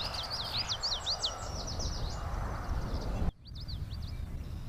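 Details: Common yellowthroat (Geothlypis trichas) song: a quick run of high, sharply bent chip-like notes, repeated in bursts over a steady low rumble of wind or distant traffic.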